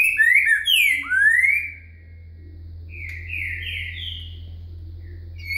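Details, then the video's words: Boca mole song with virada from a green-winged saltator: rich whistled notes, some rising and some falling, in a quick burst. A softer run of steady whistles follows over a low constant hum. "Trinca Ferro Boca Mole com Virada"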